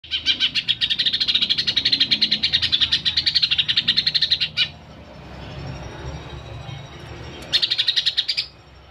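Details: Bornean greater green leafbird singing in the wild, with a varied song, at Alas Purwo, Banyuwangi: a rapid, even trill of high chipping notes lasting about four seconds, a pause with low rumble, then a shorter burst.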